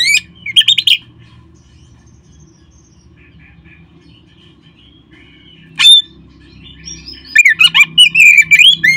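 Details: Oriental magpie-robin song used to stimulate caged birds to sing: a sharp whistled opening, a long quiet gap, a single upward flick near six seconds, then a burst of rapid, varied whistles and chirps at the end.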